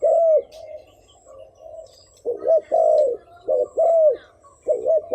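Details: Decoy spotted dove calling to attract wild doves, one strong coo followed by softer murmuring, then a series of clear low two-part coo phrases.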